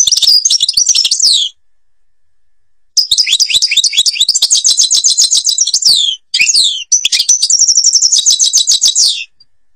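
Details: European goldfinch, Algeria, Babas forest: three phrases of rapid liquid twittering separated by pauses, high trills mixed with sliding whistles, dense and fast.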